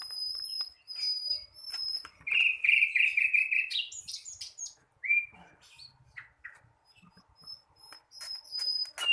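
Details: Flycatcher in the early stages of learning its song: a thin steady high tone runs in the background while the bird delivers a rapid buzzy trill, a sharp rising chirp, then scattered soft notes.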